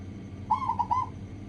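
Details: Local zebra dove in a lure recording intended to make doves sing: a single short phrase of three or four soft rolling coos, partly masked by a broad low rumble and hiss.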